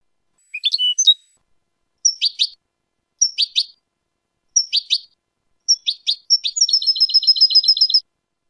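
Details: European goldfinch singing 'limpio' (clean) song, from a 2019 recording: short bursts of high, sharp twittering notes separated by brief pauses, ending in a fast, even run of repeated tinkling notes. No other sounds.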